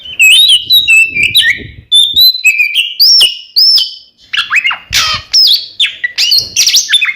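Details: Twin-style kacer lure of the Oriental magpie-robin, intended to draw answering rivals: rapid clear whistles and trills giving way to harsher, buzzy swooping notes, delivered almost without break.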